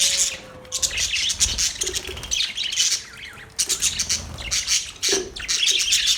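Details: Budgerigar kept as a pet, chattering nonstop with rapid scratchy chirps and harsh squawks, a brief lull near the middle before the busy warbling resumes; a soft low hum runs in the background.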